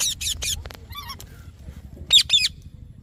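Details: Parrot sounds: a quick trio of high scratchy notes, a soft wavering chirp, then a quiet gap before two loud, sharp squawky chirps.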